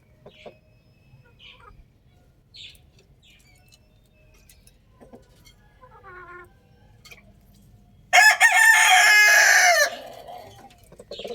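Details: Quiet stretch of scattered soft chicken calls and faint noises, then a rooster crows loudly for about two seconds, a coarse, harmonic, sustained crow ending abruptly.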